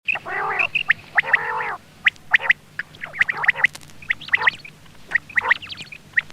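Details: Quail calls used as a hunting lure: harsh nasal bursts with rich harmonics early on, followed by short high chirping notes repeated in quick irregular clusters.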